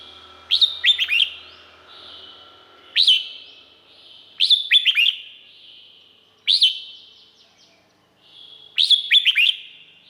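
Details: Thai Red-whiskered bulbul delivering five rapid, liquid, chattering phrases in about ten seconds. Short bright notes tumble downward in quick clusters, separated by pauses of one to two seconds, and a faint low hum sounds at the start.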